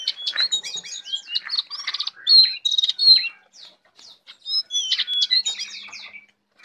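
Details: Full, lively song of a tame caged Brown prinia: bursts of sharp high chirps and trilled notes in quick phrases separated by short pauses.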